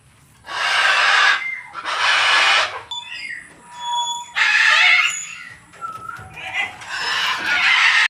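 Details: Macaw screaming repeatedly: five harsh, raspy squawks about a second long each, with short whistled and squeaky notes in the gaps between them.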